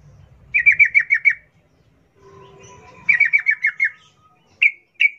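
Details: Wild 'ngalas ropel' song of a sooty-headed bulbul, used to coax captive birds into song: two quick runs of about six clipped, falling notes separated by a pause, then two single sharp notes.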